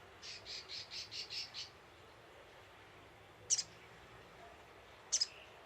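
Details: Brown-throated sunbird lure call: a quick run of six high, buzzy pulsed notes, then two isolated sharp, high double chirps after a pause, over soft background hiss.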